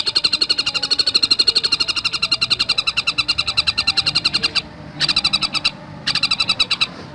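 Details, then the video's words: Javan cuckooshrike called tengkek buto, sustained quick chatter of harsh repeated notes, then two shorter bursts after sudden silences. "Masteran Burung Tengkek Buto Gacor Speed Rapat"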